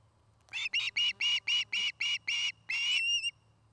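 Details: Osprey from a nest-building pair in Charlo, Montana, utters eight ringing whistled notes in quick succession, the last one longer and trailing off with an upward-bending tail.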